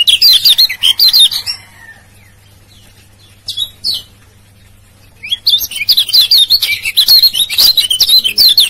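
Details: Lombok yellow white-eye male uttering rapid 'ciak ciak' calls meant to coax sluggish birds into singing: high twittering chirps in quick succession, a near-silent stretch with one short burst, then sustained excited chattering to the end.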